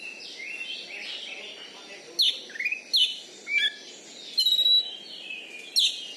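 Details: Oriental magpie-robin, a contest kacer from Bengkulu, gives scattered sharp whistled notes and short slurred phrases over a soft background, each loud note spaced roughly a second apart.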